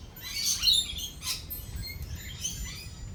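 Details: Lorikeets during a thunderstorm with rolling thunder and lightning give high shrill screeches and squeaky chirps in bursts, with a steady low rumble beneath.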